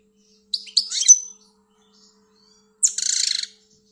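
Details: Pet European goldfinch from Algeria giving two short phrases: quick clipped high chirps followed after a pause by a harsh buzzy rattle, otherwise silent.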